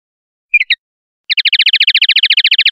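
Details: Clean-song common linnet recording: three quick high chirps, then a fast, even trill of about thirteen bright notes per second, with no other sounds.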